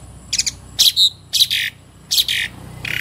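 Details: Tame Asian pied starling (jalak suren) singing: loud harsh broadband bursts, chattering notes and a short clear whistle, delivered in irregular phrases about twice a second.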